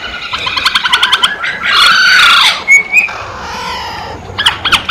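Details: Masked laughingthrush giving harsh, buzzy rattles and squawks, a thick noisy burst in the middle, then a short clear whistle and more rapid chattering notes.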